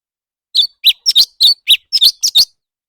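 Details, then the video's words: Leafbird in competitive singing, the thanh tước song contest: a fast run of about ten bright, clipped chirps, alternately rising and falling, packed into two seconds with short even gaps, with no other sounds behind them. "thanh tước hót đấu"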